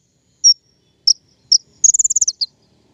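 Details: King konin lure call for bird trapping: three spaced high single chirps followed by a rapid descending trill of about eight notes and a final chirp.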